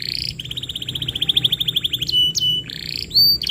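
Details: Canary lure song for training young canaries: a steady rapid trill of short repeated notes, then sharp rising and falling whistles and piping tones.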